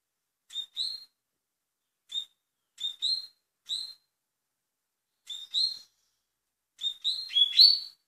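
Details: Double-collared seedeater of the fast-singing style, high thin paired chirps in short spaced bursts, building into a quicker, louder cluster of notes at the end, otherwise quiet.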